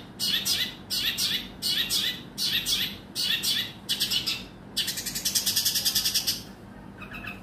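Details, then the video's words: Long-tailed shrike song used to provoke sluggish shrikes into singing: harsh, scratchy high phrases about every three-quarters of a second, then a fast chattering run of rapid pulses. "Ampuh Bikin Cendet Loyo Kurang Emosi Agar Segera Terpancing Emosi & Ikut Bunyi"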